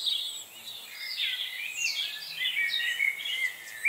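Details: Chickadees in a feeding frenzy recorded November 25, 2020: several high, thin chirps and whistled notes overlap, with short sliding and buzzy phrases tumbling over each other almost continuously.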